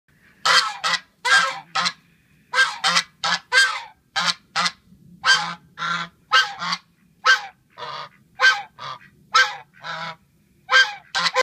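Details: Peacock giving loud, harsh, nasal honking calls, short bursts repeated about twice a second, sometimes in pairs, continuing steadily with brief gaps.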